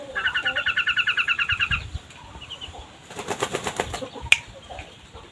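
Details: Long-tailed shrike, a vigorously singing cendet, gives a fast chattering run of about twenty sharp, even notes in under two seconds. Softer rattling pulses and a single click follow.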